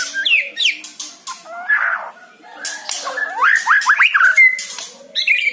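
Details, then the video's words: White-rumped shama song played to lure a captive bird into singing: rich varied phrases of slurred rising whistles, buzzy notes and sharp clicks, with a quieter pause midway before a burst of quick upward-sweeping whistles. "PANCING MURAI BATU ANDA DENGAN SUARA INI"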